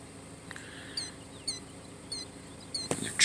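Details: A Killdeer pair walks and feeds at the Rocky Point Recharge Zone; the browner female may be carrying eggs. One gives four or five shrill, high, slurred calls about half a second apart over faint hiss and a sharp knock.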